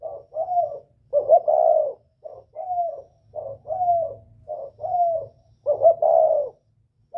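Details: Northern Vietnamese spotted dove with a whistle-like voice, calling to lure wild doves: repeated low cooing phrases, each a short note followed by a longer rolled coo, coming every second or so over a faint low hum.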